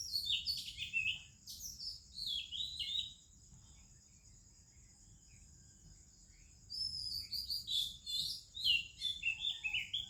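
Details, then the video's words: In the morning in India, an Oriental magpie-robin sings with other birds: whistled phrases early, a quiet gap of about three seconds, then quick bright chirps and whistles, with a steady high insect-like tone. "ROBIN Chirping in the Morning"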